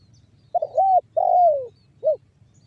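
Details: Spotted dove banggo bocor song, used to coax other doves into calling: a single phrase with a stuttering first coo, a long sliding downward coo and a short clipped last note.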